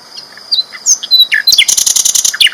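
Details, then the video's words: Short sikatan londo flycatcher phrase: thin slurred whistles followed by a rapid rattle of about ten sharp high notes. "BURUNG SIKATAN LONDO GACOR ISTIMEWA KERAS LANTANG"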